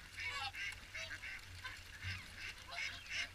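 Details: A crowd of swans at the Caerlaverock morning feed calls almost nonstop, bright nasal honks bunched in quick overlapping bursts roughly every third of a second, with faint low rumble behind.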